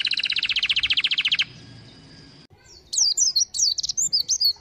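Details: White-eye singing in a rapid 'tembakan' style with fill notes: a dense buzzy trill of fast repeated high notes, a short pause, then bright whistled notes sliding up and down in quick bursts.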